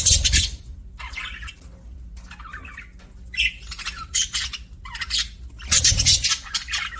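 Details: Happy budgie chatter from pet budgerigars, with loud scratchy squawks at the start and end and softer chirps and warbled notes between, separated by brief quiet gaps.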